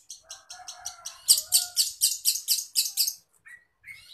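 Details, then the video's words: Long-tailed shrike in lively song packed with phrases of many forest birds, used for training caged shrikes: a few lower warbled notes, then a fast run of about ten harsh, high, evenly repeated chirps, ending with brief whistles. "cendet gacor full isian sehutan"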